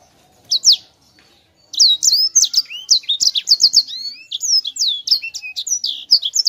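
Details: Sanger, a chatty bird singing in a rolling, tightly packed style: after a short opening phrase and a pause, a dense run of high, quick whistled and sweeping notes follows with hardly a break.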